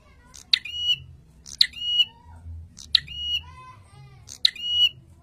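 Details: Prinia recording used to train cage birds and rile males: harsh, buzzy bursts, each ending in a short, level, nasal note, four times in quick succession, with a fainter lower note between them and a low hum beneath.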